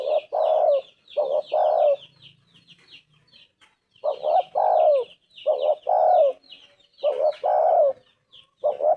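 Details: Spotted Dove, locally tekukur, cooing strongly: loud low phrases of a short note then a longer falling croon, repeated in bursts with pauses, over faint twittering of small birds high above.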